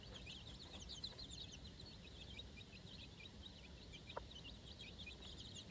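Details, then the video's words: Soft, distant peeping from a group of four-day-old chicks on their first outing onto fresh grass with the mother hen; quick high cheeps scattered through the clip over steady low background noise. "Chicks Chirping Sounds - Baby Chicken Sounds"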